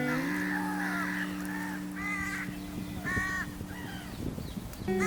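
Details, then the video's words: A juvenile crow begs for food from its two parent crows on the River Thames in West London in a hot, dry August. It gives harsh, nasal caws in short bursts about once a second, over a steady low musical drone. "Baby Juvenile Crow Begs"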